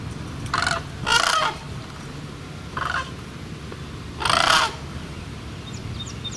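Sandhill cranes give loud, rolling, rattling bugles in short bursts, four calls spaced irregularly over a few seconds, with a soft steady low rumble underneath.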